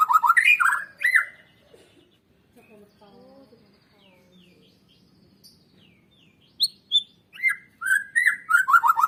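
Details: White-rumped shama song meant to stimulate other birds to sing: loud whistled phrases open the clip, then a quiet gap with faint softer notes, before bright rising whistles and tumbling trills return.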